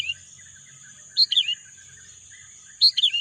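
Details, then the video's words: Two loud bursts of quick, falling chirps from a bird, about one and a half seconds apart, over a steady piercing high drone and faint twittering from other birds. "bunyi kicauan burung"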